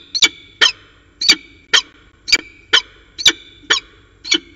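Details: Peregrine falcons, a pair talking in the afternoon at Orange on 13 January 2019, give sharp, rasping chup notes repeated about twice a second, nine or ten in a row, evenly spaced and loud.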